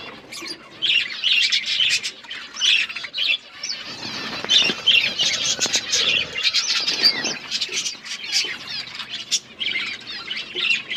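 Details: Colourful budgerigars chirping together: a dense, overlapping chatter of high, scratchy warbles and short tweets from several birds, with bursts pausing briefly around the middle before resuming.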